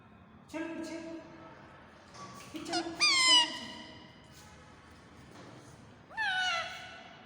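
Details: A pet talking parrot gives a few harsh, harmonic calls, some sliding upward and then falling, separated by short pauses in a quiet room.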